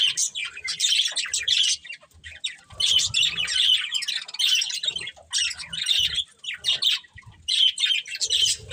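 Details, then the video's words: Budgerigar family squawking and chirping in lively bursts of rough, high warbled chatter, broken by short pauses, with faint low rumbling in the background. "Cute Budgies Chirping Sounds"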